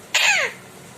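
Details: A pet Indian ringneck (rose-ringed) parakeet answers by coughing: a single harsh, raspy imitation of a human cough, about a third of a second long and falling in pitch at the end, in a quiet room.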